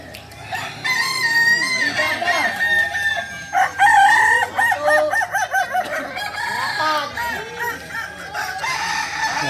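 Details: Kukuak Balenggek roosters, a native singing chicken of Solok, crowing during performance training; long crows broken into rapid stepped, repeated syllables, with several birds overlapping.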